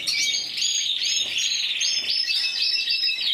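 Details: Spanish champion canary of 2014, intense yellow, 94 points, giving a quick series of looping, bubbling trill phrases repeated several times each second.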